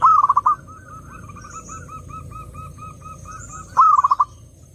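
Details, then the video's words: Zebra dove song played to lure other doves: a bright stuttered burst of rapid notes, then a long series of soft evenly spaced cooing notes, ending in another loud rattling burst. "SUARA BURUNG PERKUTUT _JERNIH_💯AMPUH_SEKALI PUTAR SEMUA PERKUTUT LANGSUNG NYAMBER"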